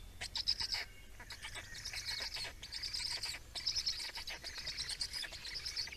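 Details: Black storks during feeding in Estonia, 17 May 2019: a dense, hissing, high-pitched chatter of fast pulses, with a louder burst near the start and steady chattering after, over a faint low hum.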